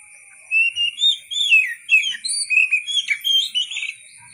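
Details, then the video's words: Oriental magpie-robin song of quick, fluid whistles: rising and falling slurred notes strung together without pause for about three and a half seconds over a constant thin electronic-like whine. "KICAU BURUNG KACER SUARA ASLI"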